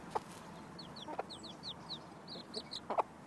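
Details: Mother hen teaching her chicks how to look for food: a few low, short clucks spaced about a second apart, with chicks' thin, falling peeps repeated in between.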